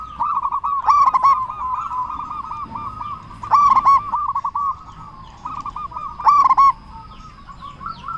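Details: Zebra dove of a local strain, loud-voiced, calling to bait other doves: long purring, bubbling coo phrases broken every couple of seconds by bursts of quick, bright staccato notes, over a faint low hum.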